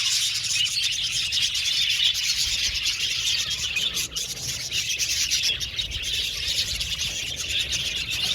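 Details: Aviary budgerigars in a colony, an unbroken high chattering chorus of chirps and warbles that dips briefly midway before resuming at full density.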